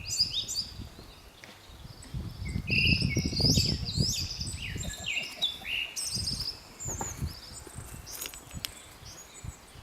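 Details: Japanese thrush singing in the highlands: a rich run of varied clear whistled phrases, some rising and falling, others quick and repeated, delivered almost continuously, with low rustling and wind-like background noise.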